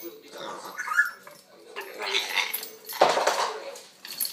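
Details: A male pet African grey parrot, filmed from a distance, gives a run of varied squawks, raspy bursts and voice-like sounds, some like barking or speech, with short pauses between them.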